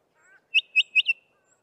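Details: Bokmakierie, named after its onomatopoeic call, recorded near Trumpeter's Drift near Grahamstown: a quick run of four loud, ringing whistled notes, high and evenly paced, after a soft warbled lead-in; otherwise quiet.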